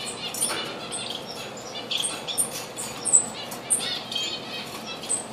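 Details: Diamond firetail at a bird bath, recorded 4 June 2013: short, thin, high-pitched notes scattered through the clip, some clear whistled pips, over soft background noise.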